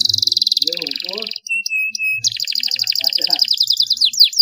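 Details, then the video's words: Canary song played to stimulate reluctant canaries to sing: fast trills and rattling rolls high in pitch, a pure steady whistled note in the middle, then rapid repeated chirps and descending slurred notes, with faint low murmurs beneath. "CUITAN KENARI untuk merangsang kenari males bunyi agar gacor || pancingan kenari susah bunyi"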